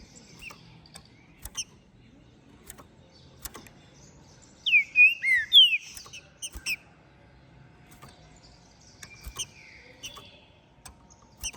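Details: Song of a ringed, captive-bred green-winged saltator from Minas Gerais, trem bala line, after moult: a strong burst of four or five swooping whistles midway, framed by faint clicks and a few quieter chirps.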